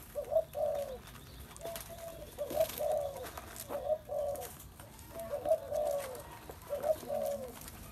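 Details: Spotted dove repeating a low, throaty three-part coo, roughly every second and a half, with faint clicks and room hiss behind.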